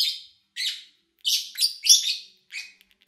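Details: Chirping lovebirds captured in August 2019 across three days of mostly quiet recording: a few raspy, high chirps and squeals in close bursts, then brief clicks near the end.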